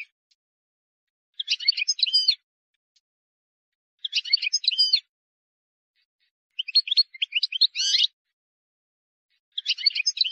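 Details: European goldfinch from the wild, singing error-free song for fledglings to copy: four evenly spaced bursts of high, jangling chirps and liquid trills, about every two and a half seconds, with silence between them.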